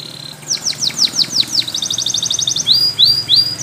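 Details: Spanish Timbrado canary in yellow plumage singing for training: a run of descending whistled notes, a fast even trill, then long upward-sliding whistles, with background hiss.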